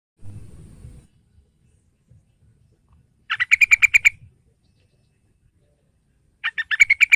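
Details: Yellow-vented bulbul phrases played to coax a young bird into singing: a short bubbly burst of about eight quick, slightly rising and falling chirps, then a second similar burst after a pause, preceded by a brief low rumble.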